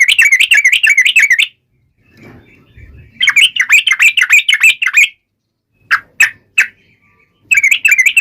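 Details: Taunting song of a yellow-vented bulbul: fast bubbly chattering phrases broken by silences, a soft low rustle, and three isolated sharp chirps before the chatter resumes.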